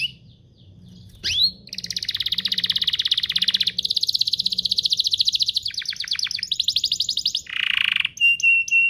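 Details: Canary duo singing hard as lure and master song for young canaries; after a short quiet start and one rising note comes a long, rapid buzzy trill shifting through sections, ending in a lower rattle and short clipped whistles.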